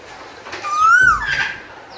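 An Asian koel gives a single clear, whistled note lasting about half a second. It slides upward, then dips at the end, over faint background hiss.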